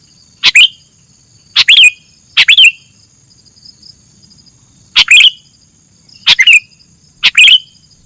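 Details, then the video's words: Masteran recording of a sooty-headed bulbul: six short bursts of sharp chirping notes in irregular bursts, some doubled, separated by silent gaps, against faint continuous high tones. "kicau masteran burung kutilang"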